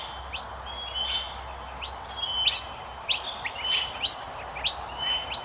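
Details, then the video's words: Common myna chicks, chubby babies being fed by adults, give harsh, scratchy chirps in irregular bursts, roughly one or two a second, over a steady background hiss. "Indian Miner Birds Feeding their babies | Chubby baby birds chirping"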